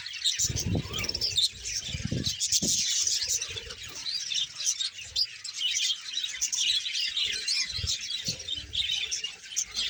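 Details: Colony of more than 300 budgerigars in Bahawalpur, producing a dense, continuous mass of overlapping chirps, warbles and chatter, with low thumps and knocks beneath.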